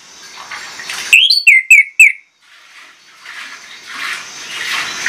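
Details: Orange-headed thrush in a lure song meant to get other birds singing. One quick string of four bright, downslurred whistles, framed by low rushing background noise.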